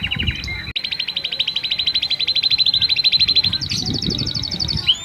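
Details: Canary song used to stimulate females for breeding: a long rapid rattling trill of evenly repeated high notes lasting several seconds, shifting higher near the end, with low background noise.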